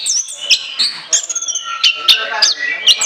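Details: Orange-headed thrush in free-flowing chattering song meant as a lure, a short burst of high whistled phrases and quick sharp notes overlapping one another.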